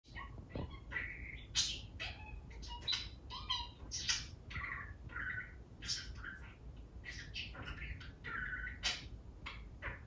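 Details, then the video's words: Pet male budgerigar talking on his own, running through a wide variety of learned phrases. The voice is a thin, rapid, whispery chatter in quick bursts, over a constant low hum. "the budgie demonstrates vocabulary"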